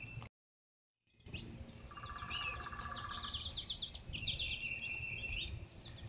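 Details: Soothing birdsong outdoors while squirrels feed on fallen seeds. Busy high chirping is layered over a lower rapid trill and a short rising whistle. A longer buzzy phrase follows, with soft rustling beneath.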